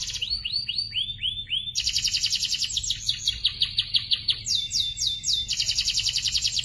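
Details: Young canaries in a training compilation: a few looping whistled notes give way to long, dense, high buzzing trills with rhythmic pulses, rolling on nearly without pause.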